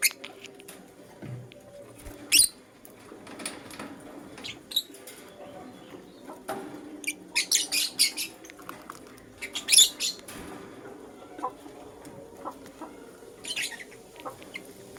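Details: Lutino lovebird in the morning with bouts of piercing, grating chirps: an isolated loud call, then a quick rattling series of several harsh squawks, more scattered chirps and quieter calls afterward.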